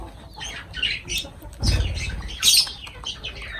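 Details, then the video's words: Lovebirds at food, chattering in quick, high chirps and harsh squeaks repeated about once a second, with a louder squawk near the end and a soft thud of movement in between. "Love birds voice sound"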